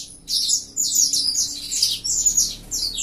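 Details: Mutation saffron finch in fibra-style singing, giving loud, high, scratchy chirped phrases in three quick bursts roughly half a second apart, each rising and falling sharply.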